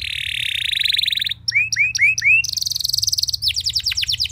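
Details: Canary song used to make other canaries sing: a sustained buzzy trill, a few ringing upslurred whistles, then fast rolling trills and falling notes.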